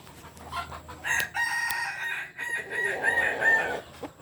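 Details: Biriang kuniang Kukuak Balenggek rooster from Solok, West Sumatra, crowing for about two and a half seconds with a long opening phrase, a brief break, then several stepped syllables, preceded by faint clicks and rustling.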